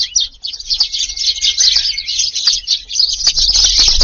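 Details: Evening feeding rush of Eurasian tree sparrows in a Japanese garden in late July, many birds arriving together. A continuous wash of shrill chirping swells in loudness toward the end, with a thin faint whistle in the background.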